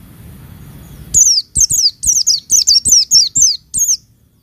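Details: Female Oriental white-eye giving a rapid series of about ten high, bright whistles that dip sharply in pitch, delivered steadily over three seconds, meant to provoke males; low background noise before the calls.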